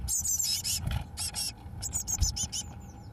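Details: Eurasian blue tit chicks on day 21, 1 June 2012, as the first two leave the nest: rapid bursts of thin, high, squeaky chirps in quick succession, over a low background rumble.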